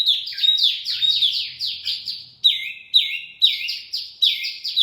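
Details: Used as a bird lure, a wambi mini's song of fast tumbling downslurred whistles gives way to loud phrases of drawn-out falling notes repeated about every half second.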